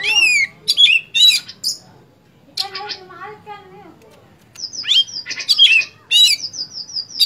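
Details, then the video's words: Oriental magpie-robin in full song; loud high whistles and rapid chattered bursts, a quiet gap with lower wavering phrases, then long sustained piercing whistles. "kacer gacor"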